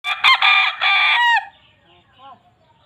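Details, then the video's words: A white village rooster crows once, a loud, harsh, rasping call of just over a second, fading into faint soft clucks and quiet background noise. "rooster sound"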